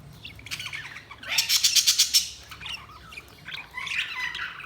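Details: Budgies chattering with warbled, scratchy chirps, a rapid burst of about eight loud pulsed notes in the middle, then softer twittering.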